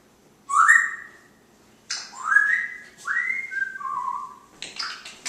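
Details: Pet African grey parrot indoors, chatting and asking about peanuts or popcorn; four clear whistled notes, the first sharply rising, then smooth slides and a falling glide, separated by short pauses, ending with a brief noisy burst.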